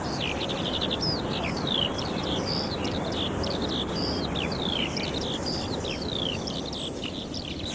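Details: In summer at Minsmere RSPB reserve, a skylark behind the dunes pours out a fast, unbroken stream of high chirps, trills and slurred whistles over the steady roar of surf crashing on the shore.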